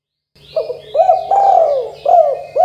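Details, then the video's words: Low mellow coos of a spotted dove in 'kuk 2' calling style, played so young doves start calling: a short stuttered note, a hooked coo, a long falling coo, then further hooked coos, with faint high chirps. "Suara Tekukur Derkuku KUK 2 GACOR DOR"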